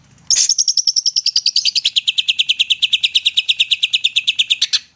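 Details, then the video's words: A greater green leafbird (cucak ijo) in full song, used as a lure to prompt sluggish leafbirds to sing, gives a fast unbroken string of sharp high notes, about eight a second, sliding down slightly then holding steady for four seconds. "Cucak ijo gacor nembak"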